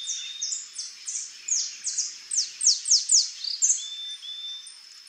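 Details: Wild saffron finch, free in nature by the water of a creek, singing a rapid series of high, sharp, downslurred notes, about two per second, with a steady high hiss and faint thin whistles behind.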